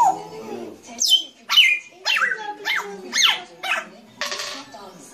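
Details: Grey parrot producing a loud series of sweeping whistled calls, each swooping down steeply then bending, repeated about every half second, ending in a harsh noisy burst.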